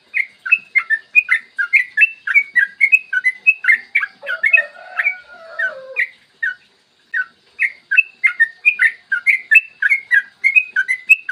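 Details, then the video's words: Long rapid-fire 'ropel' song of a yellow-vented bulbul, played to get other bulbuls singing: continuous quick bubbly notes for several seconds, a lower sliding whistle partway through, a brief break, then another fast run. "PANCINGAN TRUCUKAN AGAR BUNYI burung TRUCUKAN GACOR ROPEL PANJANG"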